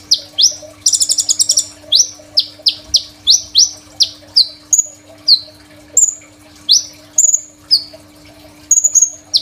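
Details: Crimson sunbird, a phone-recorded master song for training birds: a buzzy rattle early on, then a long even chain of high sharp chips mixed with a few thin flat whistles.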